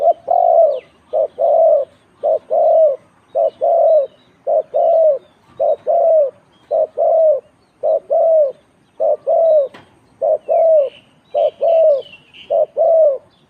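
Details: Spotted dove entered in a cooing competition, cooing in a steady repeated series of short two-part coos, nearly one per second, with a faint chirp from another bird in the background.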